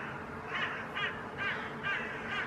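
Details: Hooded crows (Corvus corone cornix) in Helsinki, Finland, October 2020, mobbing a hawk (possibly a Northern Goshawk) standing on a rooftop, give five harsh, rasping caws about two a second against a steady outdoor hiss; the hawk then takes off.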